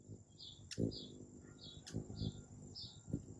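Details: Morning hummingbird at a feeder, recorded with an iPhone 11 on a tripod next to it: high, thin chips repeated about every half second, mixed with low thumps and a steady high hiss.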